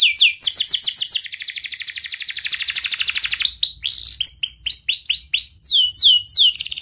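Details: Persistent domestic canary in sharp 'cuit cuit' rolling song, offered as a prompt for lazy, silent canaries. Opening downslurred whistles, then a long, fast, high buzzing trill, followed by varied chirps, swoops and short trills.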